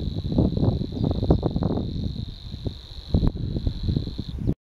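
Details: Savi's warbler reeling at Frossay, Loire-Atlantique, in April 2015: a steady, fast, insect-like buzz on one pitch, unbroken for over four seconds, under heavy wind rumble.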